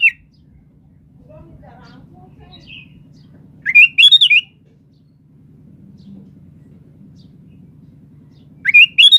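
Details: Lively sooty-headed bulbul whose song serves to provoke other birds into responding: short rising-and-falling gurgled phrases spaced about five seconds apart, separated by near silence apart from a faint low drone.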